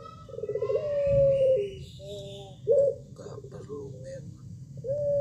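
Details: Barbary dove (Streptopelia risoria) gives a run of mellow, drawn-out coos, each low and slightly rising, repeated every second or so, with a faint background murmur.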